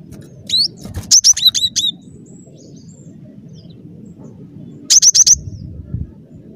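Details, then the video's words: Lively cinereous tit, song intended to lure birds for trapping: a fast string of high, sharp, upslurred chirps repeated five or six times, a long gap, then a shorter run of three or four similar notes. "Suara Burung Glatik Batu Gacor"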